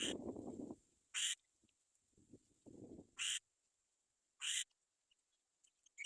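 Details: Young black-winged kites waiting for their mother to bring food give three brief, harsh, hissing screeches spaced one to two seconds apart, after a burst of low rustling at the start.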